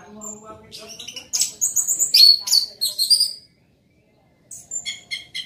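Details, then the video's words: An orange-headed thrush in loud song: low warbling notes build into dense, varied high phrases of trills and sharp whistles, a brief pause, then a quick repeated stuttering phrase. "Anis merah gacor volume keras"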